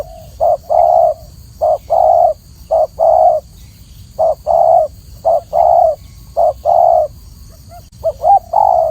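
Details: Clear spotted dove song: low mellow coos in short-long pairs, repeated steadily for several phrases with brief pauses between groups, faint steady hum beneath.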